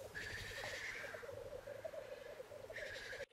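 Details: Black grouse males courting and fighting at the lek to win females, with mating, filmed on Sony and Canon EOS 7D cameras. A steady, low, bubbling cooing rolls on throughout, while higher hissing notes rise near the start and again near the end.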